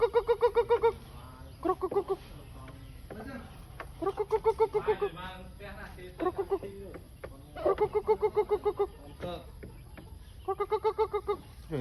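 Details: Chicken calling with bursts of rapid, evenly pulsed clucking notes. Each burst lasts about a second and repeats several times with short gaps, with softer murmuring sounds in between.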